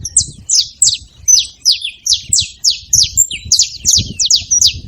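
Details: Saffron finch chipping steadily and fast, about three high, downslurred notes per second, occasional thin level whistle between them, low background rumble.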